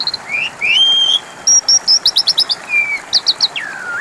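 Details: Asian pied starling song as a lure for silent birds: long slurred whistles, a rapid stutter of short high pips, then a falling whistle at the end.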